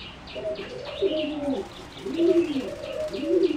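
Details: Competition-bred singing zebra doves in a flight cage give low, arched, gurgling coos in two quick phrases, accompanied by faint high chirps of other small birds.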